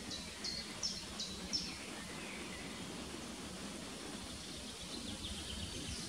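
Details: A spotted flycatcher at De Hoge Dijk, Amsterdam, Netherlands, on 12 May 2019 gives four or five thin, high, short call notes in quick succession, then falls quiet over a distant background rumble.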